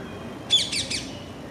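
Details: Parakeet calling: one burst of three harsh, high, screechy notes in under half a second, sharply loud at the start, against quiet low background noise.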